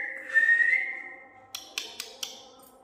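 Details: Parrot kept as a pet whistles on cue from its owner: a steady whistle held for about a second, then four sharp clicks or taps.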